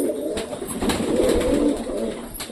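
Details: Domestic pigeons in a loft during a courtship encounter between a pair; soft low cooing murmurs run through the clip, with a few faint clicks and light room noise in an enclosed space.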